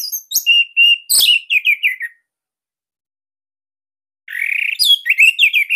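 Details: Captive Orange-headed thrush of the Bali type, its song used to prompt other birds to sing: steady whistled notes and a fast string of falling chirps, a silent gap, then a buzzy, rising phrase with rapid notes.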